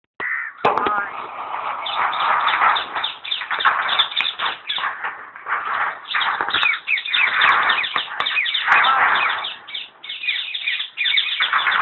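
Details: Common hill myna at Alipore Zoo Garden, Kolkata, West Bengal, India, talking: a dense, continuous run of harsh chattering syllables, wheezy squeaks and speech-like phrases with almost no pauses, loud throughout.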